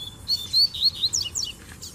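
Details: Male double-collared seedeaters singing as a group with a female present; a fast string of sharp, high, slurred whistles repeats several times a second, then fades into quieter trailing notes over a low background hum.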